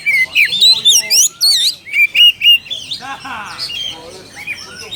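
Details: Oriental magpie-robin calling a rival with loud rising whistles and rapid chirps, then a buzzy trill and softer twittering notes.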